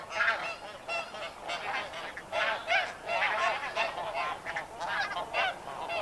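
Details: Snow Geese in a flock giving steady flight calls: a continuous babble of short, yelping nasal honks from many birds, rising and falling in loudness over six seconds.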